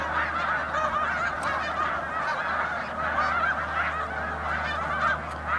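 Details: A vast flock of snow geese resting on the St François river, Drummondville, Quebec, in autumn 2012, producing a ceaseless babble of high, nasal honks rising and falling in waves, with a low hum beneath.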